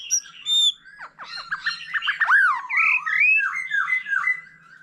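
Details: Wild-caught older white-rumped shama singing changing phrases with a laughingthrush: high pure whistles, then a tumbling series of loud swooping slurred notes and warbling whistles, continuous and rich.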